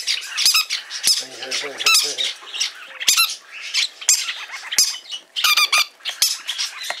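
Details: Pet green-cheeked parakeets at a shop in Fukuoka Prefecture, Japan: shrill, rasping squawks and squeaky chatter in quick clusters. A human voice speaks briefly in the middle.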